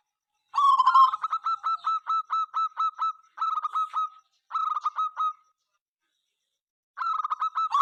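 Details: Local zebra dove in full, persistent song said to set opponents calling; long runs of evenly spaced, clipped coos in repeated phrases, then a silent gap before another phrase begins.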